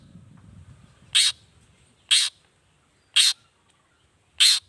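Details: Long-tailed shrike calling to get other shrikes to reply; four short, explosive, noisy bursts about a second apart, with low rumbling at the start.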